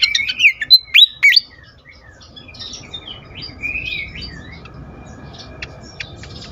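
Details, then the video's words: Excited fantail, used for luring birds: a few loud, rising whistled notes and sharp chips open, then softer wavering whistles and occasional faint ticks over a quiet background. "sikatan kipas ngamuk"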